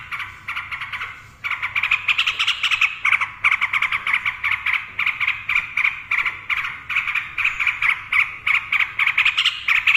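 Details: Yellow-vented bulbul in rapid 'ropel' singing, used to lure silent birds into song: a long, fast run of buzzy, pulsing notes repeated without pause, after a brief lower phrase at the start.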